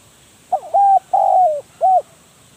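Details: Spotted dove decoy bird delivering a single phrase of mellow coos: a quick introductory note, a level hoot, a long gently falling coo and a crisp closing note.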